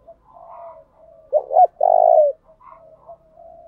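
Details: Spotted dove kept as a decoy bird, cooing to urge wild doves to answer, switching song patterns continuously: soft low murmuring coos, then two short clipped notes followed by one long, loud, throbbing coo, then quiet murmurs again.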